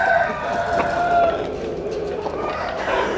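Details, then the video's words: Roosters crowing at dawn while chickens sun themselves in the morning; a harmonic, drawn-out crow with several overlapping voices gives a dense, continuous texture, steady in loudness throughout. "Tiếng Gáy Lúc Tinh Sương"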